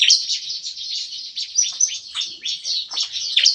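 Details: Bar-winged prinias in an aviary cage, morning, giving busy shot-like nembak-nembak song: a short, crowded run of high chirps and sharp downward notes.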